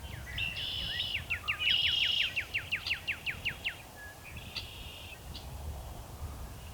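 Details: Spring song of a male Northern cardinal before sunset: a fast series of crisp, downward-slurred whistled notes, with brief buzzy tones from other birds and a low rumble of background noise throughout.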